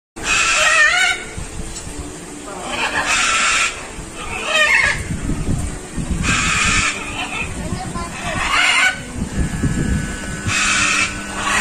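Harsh, raucous macaw squawks, about four loud screeching bursts over twelve seconds, with softer murmuring sounds between them.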